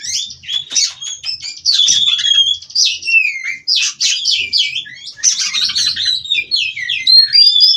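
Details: Captive-bred White-rumped shama (kacer), Cirebon strain, singing nonstop: a rich, rolling run of whistled notes, buzzy trills and rapid chattering phrases, sliding up and down without pause.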